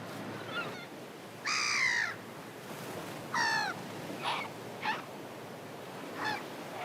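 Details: Seagulls flying back home at sunset by the sea give harsh, nasal, drawn-out calls, two longer ones followed by several short clipped notes, spaced irregularly over a soft hiss of wind and surf.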